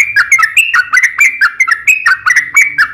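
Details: Yellow-vented bulbul fighting song, played to make other bulbuls respond: varied bubbly, liquid whistled notes, some rising and some dropping, delivered irregularly at a lively pace without breaks.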